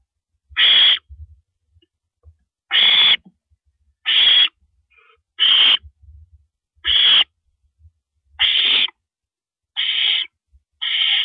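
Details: Female owl at 1:27 AM, April 9, 2012, while downing a rabbit. Eight harsh, breathy screeches repeat at uneven intervals of about one to one and a half seconds, with faint low knocks and rustles between them.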